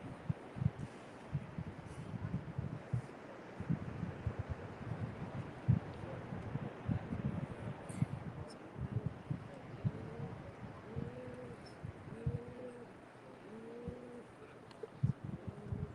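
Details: Pigeons perched on a pavilion roof by a fishing pier at Myrtle Beach State Park on a cold day; one gives low, hollow, arching coos about once a second over heavy wind rumble.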